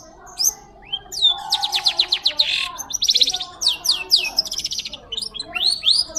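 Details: Long-tailed Shrike singing clearly as tutor song for magpie-robins: rising whistles, then buzzy rattling trills and fast chattering, closing with swooping upslurred notes over a faint low tone.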